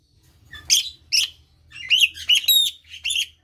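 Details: Asian pied starling, its song used to coax silent birds. Two short squeaky notes, then a rapid chattering of wavering, nasal whistles, over a steady low hum.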